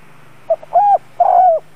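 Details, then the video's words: Spotted dove used as a lure bird, giving a brief coo: a soft short note, then two longer, level, mellow notes, the last slightly trailing down, over a low steady hum. "Tiếng cu gáy giọng hay CHIÊU THÚC BỔI"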